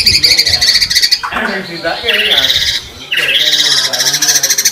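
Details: Murai batu, the white-rumped shama, singing 'gacor' with 'isian tembakan' fills for use as training material. Rattling high trills give way to a rising whistled phrase and then more buzzy, rapidly repeated notes, slightly blurred.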